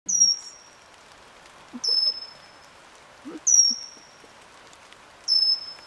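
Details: Pygmy cupwing in Eaglenest Wildlife Sanctuary, NE India, singing four very high, thin whistles. Each starts with a slight drop and then holds steady, spaced almost two seconds apart, over faint low forest sounds.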